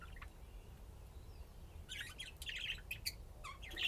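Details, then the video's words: Budgerigars at play, quiet at first with a couple of soft notes, then a dense rush of gritty chirps, clicks and squeaky warbles over low background hum. "طيور الحب لعب وزقزقة"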